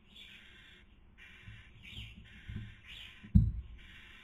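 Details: Barn owls during the 2020 breeding season in Cabañeros National Park, Spain, the female feeding, the male trying to sleep; steady sequence of loud breathy hisses with slight rising inflections, and a sudden thump partway through.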